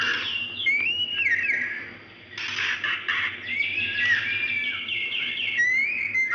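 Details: Plaintive calls of a female white-rumped shama summoning a male, used to lure males that are reluctant to sing: clear rising whistles and thin slurs mixed with rough bursts of chatter, over a constant low hum.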